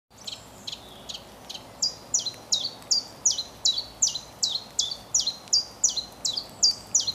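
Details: A common chiffchaff sings its spring mating song in a forest, a steady string of high, sharp notes, about three a second, alternating slightly in pitch like 'chiff-chaff'; faint background hiss.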